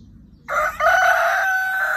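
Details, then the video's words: Crowing red rooster: a loud harsh cry bursts in after a brief hush, breaks once, then holds steady and strong to the end. "الديك الاحمر وأخر صياح عندو"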